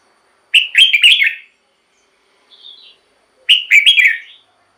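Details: Two loud, bubbling warbled phrases from a red-whiskered bulbul, about three seconds apart, with one faint thin whistle between; song used to excite caged birds or lure wild birds.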